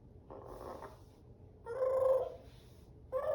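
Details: African grey parrot making a raspy, buzzy burst, then a louder, sustained, nasal harmonic call, and the start of another call at the end.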